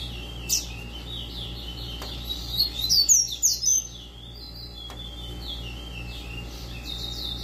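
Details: Double-collared Seedeater kept in captivity, tui tui style, delivering a burst of sharp, high, rising and falling whistled notes midway, followed by softer repeated chirps under a constant electrical hum.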